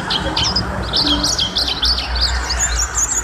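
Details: Mountain white-eye singing at length, kept as a tutor recording for cage birds: quick high thin chirps and short twittering whistles in rapid bursts, over a steady low hum.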